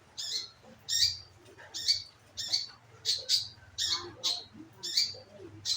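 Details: Scarlet minivet call used as a lure to make birds sing: clear, high, sharp notes given singly about every half second, over a steady low hum.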